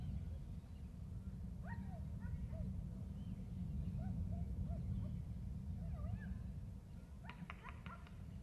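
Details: Wild male bald eagle at the nest during a nest exchange, trilling when his mate arrives to incubate the eggs; scattered thin, squeaky chirps, then a quick run of sharp notes near the end, all over heavy wind noise.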